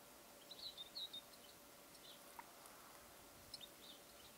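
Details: A European greenfinch at a new bird pond in Cyprus in February 2022 gives a few short, high chirping notes in two brief bursts, with soft background hiss between them.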